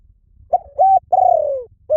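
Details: Spotted dove calling a brief note, a level hoot and a long, softly falling coo, then starting another phrase, in quiet surroundings.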